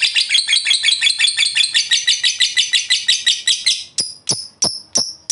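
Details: Fighter lovebird giving long ngekek chatter to provoke other lovebirds into singing; fast rasping high pulses run for about four seconds, then break into a few separate sharp shrieks spaced about a third of a second apart.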